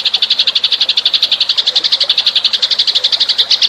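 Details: Steady rapid chirping from a house sparrow lure call, evenly spaced loud chirps at about eight per second with no pauses.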